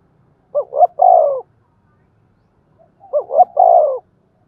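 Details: Spotted dove coo meant to prompt wild-caught doves into cooing, thổ đồng voice: a pair of phrases, each two short notes leading into a sustained, gently falling coo, about two and a half seconds apart.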